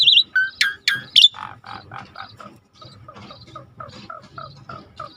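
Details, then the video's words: Asian pied starling song used as a lure to make a starling that has stopped singing start again: loud rising whistles and sharp upsweeps open, then a run of lower, nasal, harmonic notes repeated roughly once a second. "tembak burung jalak suren yang macet bunyi"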